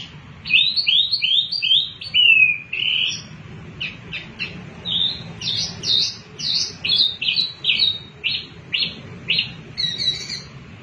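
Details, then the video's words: Lively mini wambi song meant to draw other birds into singing, with rapid clipped chirps in uneven phrases, a short descending slur early on, then a steady series of sharp notes about twice a second. "Wambi Mini Gacor Pancingan Burung Bahan Cepat Bunyi dan Ikut Gacor"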